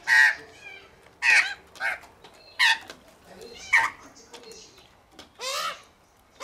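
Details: Australian magpie family eating unsalted peanuts at a home in Melbourne; loud harsh squawking calls, rich in harmonics, repeated roughly every second and a quarter, with quieter chatter between bursts.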